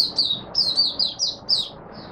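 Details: Singapore Oriental white-eye, buka sing on a humid, warm, rainy, overcast 23 March 2023: a lively run of high, twittering, falling notes, about eight in quick succession, ending in a softer note.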